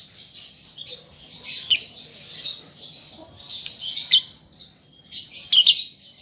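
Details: Young lovebird still learning to sing, used as a prompting recording: mostly quiet, hissy, buzzy twittering with a few sudden shrill chirps breaking through.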